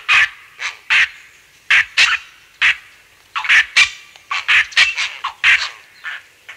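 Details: Close-up grey heron (Ardea cinerea) in Kent, UK, gives aggressive calls: harsh, rasping croaks in short irregular bursts, about a dozen in six seconds, with house sparrows and a starling faint in the distance; aggression.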